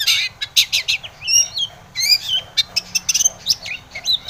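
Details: Long-tailed shrike song meant to draw replies from rival shrikes: scratchy chattering phrases interleaved with clear rising and falling whistled slurs, varied and fast-paced.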